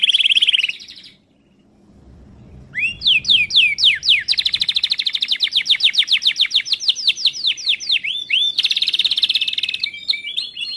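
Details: Timbrado canary training song: bright trilled phrases high in pitch, a short burst, a brief pause, then rapid repeated rising sweeps and a dense buzzy trill running several seconds, closing with varied twittering notes.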